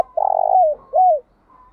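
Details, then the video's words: Spotted dove used as a lure bird to provoke rivals into calling, ground-dwelling type: a loud low trilled coo followed by a shorter smooth downslurred coo, faint higher coos from another dove behind. "Tiếng chim cu gáy mồi thúc đấu giọng hay, tiếng chim cu gáy thúc bổi nhanh về cội, chim cu gáy đất"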